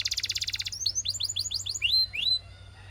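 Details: Belgian canary singing: a fast, even trill of bright pulses, then a run of quick rising upslurred notes and two longer clear whistled sweeps at the end.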